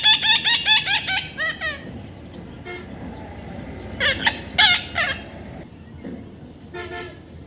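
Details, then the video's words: Baby parrot uttering a rapid string of harsh squawks at first, then scattered bent, nasal calls with gaps, against low background noise. "natural funny parrot sound"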